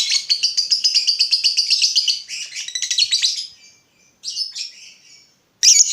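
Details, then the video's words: Actively singing lovebird, recorded as a lure to draw answering ngekek chatter from other lovebirds. A rapid shrill chattering trill of fast repeated notes fades after three seconds, followed by short squeaky bursts and a final loud screech. "Pancingan Lovebird Gacor Burung Lakbet apapun pasti Nyaut Ngekek"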